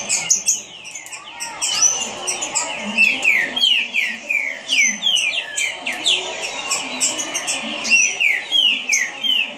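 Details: Green-winged saltator delivering a fast song: quick runs of loud, slurred whistles sliding downward, packed close together with barely a pause, with faint scratchy background noise throughout.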